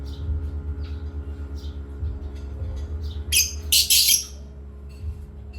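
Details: Parrots at playtime make soft chirps, then a burst of several rapid harsh squawks in close succession, over a low steady hum.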